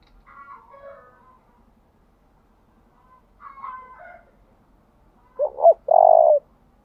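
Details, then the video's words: Decoy spotted dove cooing to bring in wild doves, 'thúc' style with shifting patterns. Soft, higher murmured notes in the first seconds, a quiet gap, then a single loud double note and a drawn-out low coo. "Tiếng chim cu gáy thúc bảo đảm bổi nghe gáy liền, chim cu gáy mồi đảo bài liên tục"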